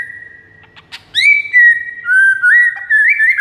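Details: White-rumped shama master song for luring rival shamas: a few soft clicks, then loud, clear, sustained whistles that step up and down between phrases.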